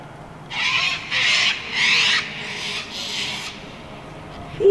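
Sulphur-crested Cockatoo giving four harsh, raspy screeches about a second apart, loud and broad across the upper range, over faint background hiss.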